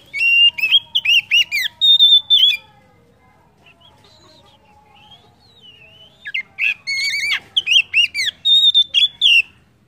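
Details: Oriental magpie-robin song played as a lure to prompt other kept birds to sing: two bursts of rapid, varied whistled and chirping notes, some sweeping up and down, separated by a quieter gap of about four seconds with faint warbling.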